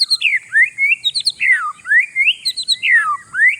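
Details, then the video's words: Caged oriental magpie-robin singing to provoke rival birds: repeated loud whistled phrases that swoop down then rise again, roughly every second, with sharp high notes between them and a steady high hiss behind. "GACOR 100%; SUARA INI BIKIN BURUNG LAWAN KELABAKAN"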